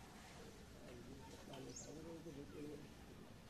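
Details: A pet talking common myna (shalik) utters a few soft, speech-like syllables in a low, voiced tone, faint against a steady hiss of background noise.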